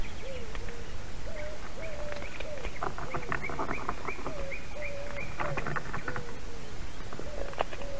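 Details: Female white-tailed eagle at a Latvian nest, filmed by a live nest camera on 22 March 2019 around 17:08, calling as the male flies in with a carp: a steady series of short, clear, slightly falling yelps repeated about every half second, with a faint hiss behind.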